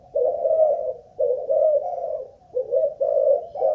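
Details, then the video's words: Captive spotted dove of Malaysian strain, a ground decoy in a stamina trial, giving throaty, low coos in quick two-note groups, nearly continuous with only short breaks between phrases. "Cu Gáy Mồi Đất || Test nước bền chim cũng thấy khá ổn"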